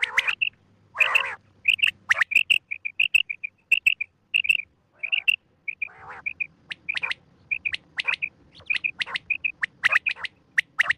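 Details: Quail morning calls: rapid, high chirping notes in quick bursts, broken by a few harsher, buzzy squawks, as if several birds are calling together.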